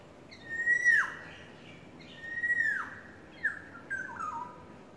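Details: Yellowbird courting, giving clear whistled notes held level then sliding sharply downward, three phrases about a second apart, the last broken into shorter falling notes, with a faint hum beneath.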